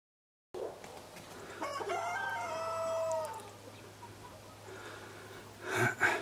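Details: Black-blue mottled Leghorn rooster giving a single crow of about two seconds, a harmonic, slightly falling call that trails off, followed by rustling and a steady low hum in the background.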